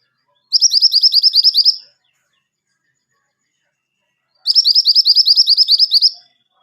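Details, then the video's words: Pied triller singing energetically, meant for tutoring caged songbirds: two bursts of fast, high-pitched, slightly buzzy repeated chirps, each about one and a half seconds long, separated by roughly three seconds of silence. "Burung Kemantenan Kuning Gacor"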